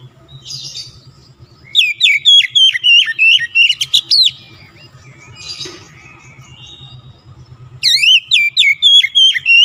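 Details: Oriental magpie-robin performing a fast, full-power lure song meant to set other birds singing: bursts of loud, clear whistled notes bending up and down, repeated rapidly, with a quiet low hum underneath.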